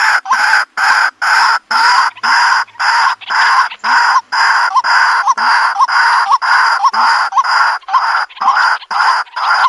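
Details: White-breasted waterhen calling, a sound used in the countryside to draw birds into a trap: loud, harsh, dense croaks pulsing steadily about twice per second, each note with a short rising flick, heavily layered and strained.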